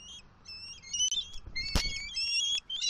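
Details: Bald eagles, Southwest Florida nest, October 28, 2023, male bringing fish to the female: rapid, very high, squeaky chittering whistles running almost continuously, broken by a sharp click.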